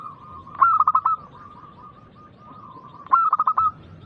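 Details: Loud local zebra dove, used as a lure to make others sing, gives two bursts of quick stuttering coos about two and a half seconds apart over steady cooing from other doves.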